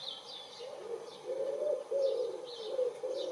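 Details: Close wood pigeon in April 2019 spring, another replying to its calls; softer, drawn-out low coos running together into a blurred phrase, with high thin songbird notes scattered over them.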